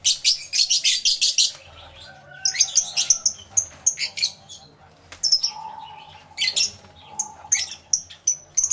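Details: A quick run of sharp chirps from aviary lovebirds gives way to scattered single squeaks and a brief mid-pitched whine.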